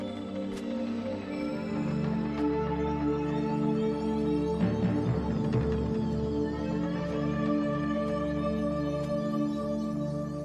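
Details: Soft, steady ambient music with sustained tones and light percussive ticks throughout, with no animal calls.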